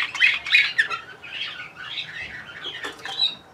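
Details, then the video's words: Bulgarian canary in Sofia, 2020, pouring out dense, fast song, with rapid warbling chirps and rolling trills that run almost without break and rise and fall in loudness. "Bulgarian Canary"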